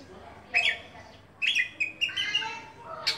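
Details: Caged oriental magpie-robin singing in open, full voice: separated bursts of high squeaky whistles and sliding chattering notes, with a faint hum beneath.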